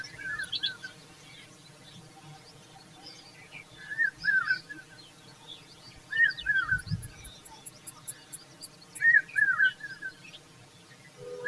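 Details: Indian common babbler, a mother fanning her chicks with her feathers; short clear two-part call notes repeated about every two to three seconds, over a background of faint, scattered high chirps and a brief high ticking series.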